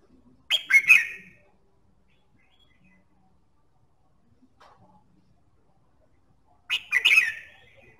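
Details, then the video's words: Red-whiskered bulbul singing to stimulate other birds to sing: two short, bright chattering-whistled phrases about six seconds apart, each of a few quick slurred notes, with near silence between. "Kích giọng chào mào"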